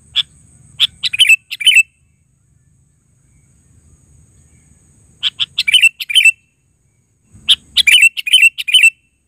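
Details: Sooty-headed bulbul repeating a lively phrase of quick, bubbly chirps three times, each burst about a second long with pauses between; faint low rumble in the background.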